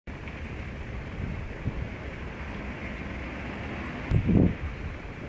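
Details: Low rushing wind and rumble fill the recording, broken by a short thumping bump toward the end, with no animal calls.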